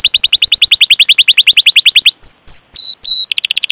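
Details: Canary giving a long rolling 'cuit cuit' song used to stimulate young, untrained or silent canaries: a quick ascending trill, then clean falling and level whistles, ending in another rapid trill.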